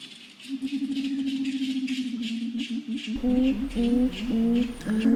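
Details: A Grey-winged Trumpeter in Suriname or French Guiana gives its normal flock contact call, a deep, humming run of rapid low pulses, then a series of short, low hooting notes about twice a second.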